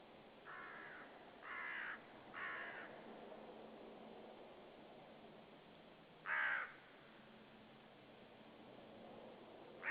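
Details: Common raven calling near a white-tailed sea eagle nest at Saunja, Estonia, on 18 March 2013, unseen: three harsh croaks close together, then a louder one after a pause, another starting at the end.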